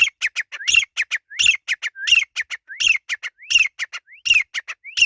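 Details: Grey francolin calling in the jungle: a loud, fast run of sharp, high clicking notes mixed with upslurred whistled syllables, delivered in repeating phrases roughly every three-quarters of a second, with faint low thumps beneath.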